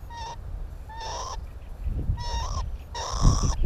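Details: Northern lapwings on the Timiryazev field during breeding, filmed near their nests: four nasal, slurred calls, each rising and bending upward at the end, spaced about a second apart, over steady low rumbling background noise.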